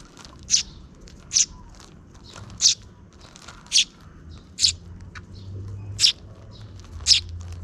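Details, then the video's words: Sparrow chicks, two of them, begging as a parent feeds them near dusk: sharp high chirps repeated roughly once a second, some fainter chirps between, over a low steady background hum. "The two chicks being fed by the parent bird near dusk are cute."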